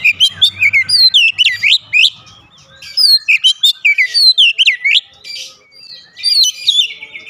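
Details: Caged Oriental magpie-robin in lively song: repeated phrases of rapid swooping whistles rising and falling, each burst about a second long, separated by brief gaps, with a faint low hum early on.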